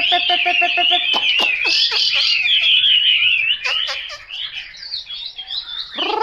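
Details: Chinese hwamei singing: a short run of repeated nasal notes, then sharp clicks and loud swooping whistles, fading to softer warbling and ending on a rising note.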